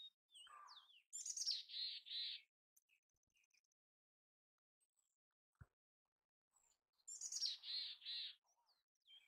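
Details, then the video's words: Mountain chickadee in its natural habitat gives two chick-a-dee calls about six seconds apart, each a high thin note followed by several harsh, buzzy dee notes; a soft falling whistle opens the recording. "Mountain Chickadee Sounds! Chamada do Chickadee da montanha!"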